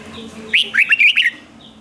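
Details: Red-whiskered bulbul in a cage, its song played to excite other caged birds: one short phrase of four or five quick, liquid, up-and-down warbled notes, over faint background chirping.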